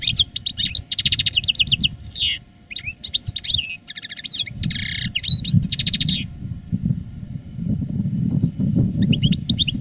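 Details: European goldfinch kept as a veteran reclamo songster, singing strongly after its moult in 2017: long runs of rapid metallic twittering and buzzy trilled passages, then a pause and a brief closing phrase, with faint low rumble.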